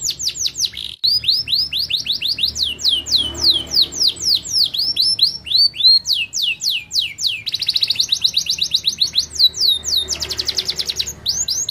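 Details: Canary singing in fast, varied tours: rapid downward-sweeping whistles repeated several times per second, switching to dense buzzy rolls near the end, with a brief gap after the first second.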